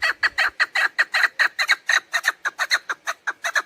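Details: Chukar partridge hen calling, sound used to attract birds for hunting; steady string of loud, gravelly clucks repeated several times a second throughout.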